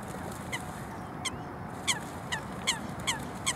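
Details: Fighting coots give sharp, short calls with downward-sweeping overtones, about seven notes in three and a half seconds at uneven intervals, over a steady background hiss.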